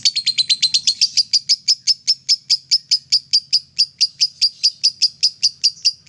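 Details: Ngekek singing from a lovebird, used to stimulate other lovebirds: sharp, piercing chirps repeated steadily, about two to three per second, starting quicker and settling into an even pulse.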